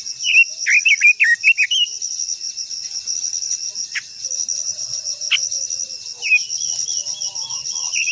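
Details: Japanese white-eye singing a long song meant to spur other white-eyes to sing. The clip opens with a rapid run of high, jerky, slurred notes. Later come a few sparse chips and a short closing twitter, all over a continuous shrill insect hum.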